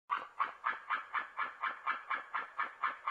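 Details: White-tailed eagle calling at a nest in Norway, early morning at 06:49 on 27 September 2017: a series of about twelve yelping notes, evenly repeated about four times a second, slightly faint.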